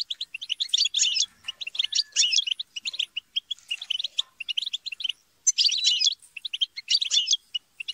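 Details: Group chatter of captive European goldfinches, played to spur song: dense twittering phrases with harsh buzzy squabble bursts, separated by brief pauses.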